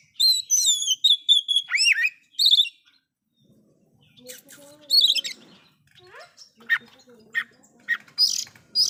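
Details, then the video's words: Oriental magpie-robin in loud song meant to rile other magpie-robins; opens with quick repeated descending whistled phrases, followed by scattered softer chirps and sharp notes. "KACER SUARA KERAS ISIAN BIKIN BURUNG KACER LAIN'JADI NAIK EMOSINYA"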